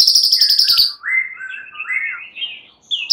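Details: Emotional fighter white-rumped shama replying to other males opens with a very high rapid trill, then gives mellow rising and falling whistles with a sharp high note at the end.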